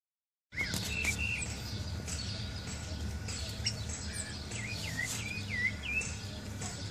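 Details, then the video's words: Thrush singing, calling to another bird outside: short, clear whistled phrases slurring up and down, several in quick succession, over a steady low rumble of background noise. "Zorzal cantando llamando al de afuera"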